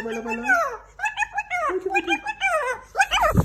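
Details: Female umbrella cockatoo, captive-bred in Iran and kept as a pet in Tehran, that speaks Persian; rapid run of harmonic, voice-like syllables rising and falling in pitch, clearly imitating human speech, ending in a sharper upward squeal.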